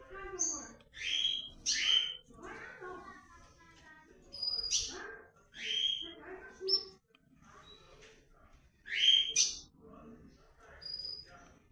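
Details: In breeding season a comanche blue-black grosbeak delivers short bright whistled phrases in quick clusters, pausing briefly between groups, with soft background hum.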